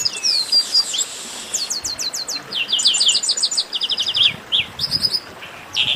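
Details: Chestnut-capped blackbirds singing together in a "baderna", used to warm up kept birds: a twisting whistle opens, then a quick series of downslurred notes and several fast chattering trills overlap to the end.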